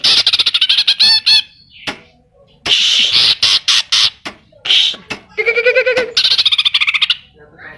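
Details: Actively singing greater green leafbird whose song is filled with imitations of kapas tembak and cililin, pouring out bursts of rapid high chirps broken by short pauses and a buzzy rattling phrase.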